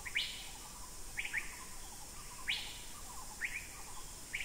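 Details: Masked finfoot at Khao Yai, 18 March 2010, giving short, sharp, upward-sweeping chirps at irregular intervals of about a second, singly or in pairs, over softer lower twittering notes.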